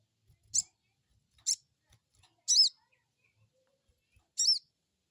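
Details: Crested jay crecet call, used as a lure to stimulate a newly kept crested jay to answer: four harsh, high, chattering notes with stacked harmonics, the last two longer and arched, spaced about a second apart over silence.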